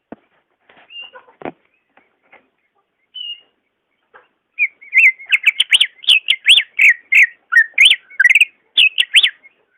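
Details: Greater green leafbird song used to prompt a caged bird that is slow to sing: after scattered soft chips, a fast, rich run of varied whistled and chattering notes begins, delivered in tight bursts of about two to three notes per second.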